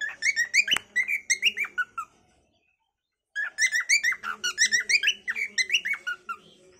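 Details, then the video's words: A cockatiel chatters in fast harmonic whistled chirps, two bursts divided by over a second of silence, notes sliding up and down at about three per second. "Funny cockatail bird 🐦🕊️ natural calling song by cocktail"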